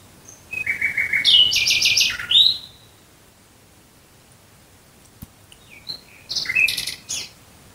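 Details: Common nightingale singing at night near Dresden, Germany: two rich, varied phrases of rapid repeated notes, whistles and buzzy trills, separated by a few seconds of near silence.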